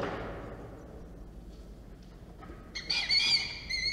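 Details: Peregrine falcon chicks at their nest in Orange, New South Wales, on 15 November 2022, described as going wild. A fading low rumble gives way to a sudden burst of thin, whining, tonal calls that ends in steady, held notes.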